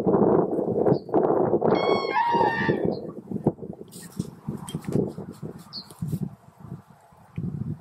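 A common crane gives a single ringing, trumpet-like call lasting about a second, partly masked by steady low rumbling wind and handling noise.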